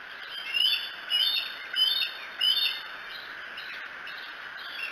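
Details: Bald eagle picked up by a nest camera at Decorah around 3 a.m. on 2 July 2018: four loud, high, thin rising chirps roughly half a second apart, then fainter chirping over a steady background hiss.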